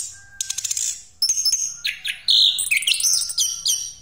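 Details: Rolling song of an orange-headed thrush, played to lure other birds. A quick rattling burst opens, then, after a brief gap, dense mixed whistles, chattering notes and high trills follow one another nonstop.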